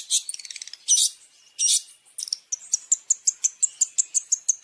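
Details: Long-tailed shrike training song of the masteran type with champion fill-ins: opening harsh, rasping bursts, then a regular run of high, sharp chip notes repeated quickly and evenly.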